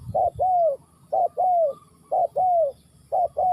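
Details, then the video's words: Spotted dove in Ninh Thuận giving paired coos, a brief clipped note then a drawn-out descending one, repeating at a regular pace of roughly once per second. "Cu gáy Ninh Thuận"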